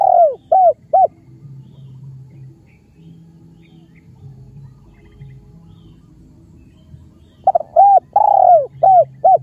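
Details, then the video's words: Spotted dove from Cambodia cooing: a quick phrase of three short mellow notes, a long quiet gap with low background hum, then another phrase of short coos and a longer drawn note near the end. "សម្លេងលលកខ្មែរកូក២យំពិរោះណាស់ Amazing Khmer Spotted Dove Sounds"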